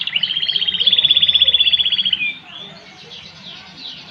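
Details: Spanish Timbrado canary in song: a long, even, metallic rolling trill of rapid pulses held for about two seconds, then softer fading slurred notes.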